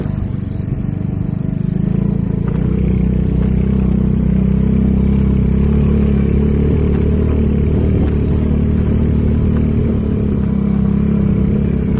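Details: Steady, loud motorcycle engine rumble fills the whole recording, with no animal sounds.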